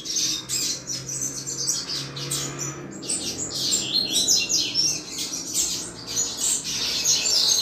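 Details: Double-collared seedeater; song; stimulating rival males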